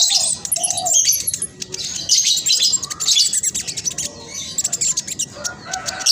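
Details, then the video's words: Black sunbird in rapid song meant to trigger singing in other birds: continuous high, buzzy, scratchy chatter rising in dense waves, broken by sharp clicks and a few brief lower notes. "Blacksunbird trotol gacor prospex cocok buat pancingan burung macet malas bunyi"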